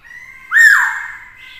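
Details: Male black-throated laughingthrush singing to provoke rivals into fighting, stimulated by a female. A single loud, clear whistle swells up and then slides gently down over about half a second.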